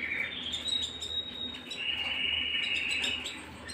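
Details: Canary singing at home: a sustained high whistled tone that drops slightly, then a long steady lower note, with rapid tinkling notes scattered above and a faint low hum underneath.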